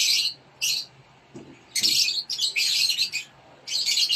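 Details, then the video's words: Rosy-faced lovebird (Agapornis roseicollis) chicks in a nest box, being fed by a parent, give harsh, hissing, raspy begging calls in bursts of about half a second, repeated several times in quick succession, with faint low thumps between them. "Lovebird Non Klep Sedang Meloloh Anak Dalam Glodok"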